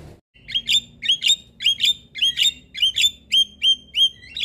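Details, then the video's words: Morning call of a Javan myna, said to get other mynas answering: paired bright whistled chirps repeated about every half second in a steady, clean rhythm. "Suara Panggilan jalak kebo Pagi Hari Bikin Jalak Lain Auto Respon"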